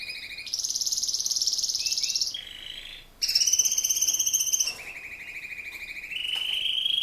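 A male Raza Española canary sings in long, fast, rolling trills that shift between high and very high pitches, each passage lasting one to two seconds.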